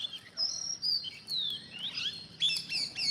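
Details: Green parrots gathering in a growing group call with shrill drawn-out whistles, rising and falling slurs and harsh chirps, several birds overlapping.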